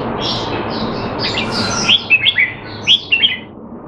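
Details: Red-whiskered bulbul in captivity in Singapore, trained to stay sharp though out of form, 25 December 2020; after a noisy start, a quick run of clear sweeping whistled notes, then a second short burst.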